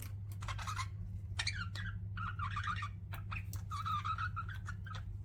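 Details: Pet budgerigars give scratchy warbled chirps and squeaky phrases in short bursts, with clicking sounds between them and a loud low hum throughout.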